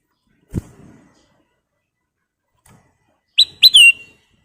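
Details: Sooty-headed bulbul in full song for luring, a dull knock and long pause, then two bright whistled notes dropping in pitch and trailing into a brief fading tail.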